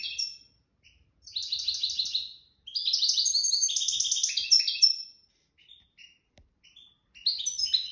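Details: Nest-raised goldfinch singing in the widani style, lineage called jadr al-salaka: three bursts of rapid high twittering with buzzy trills and tinkling notes, separated by short pauses and a few scattered chirps.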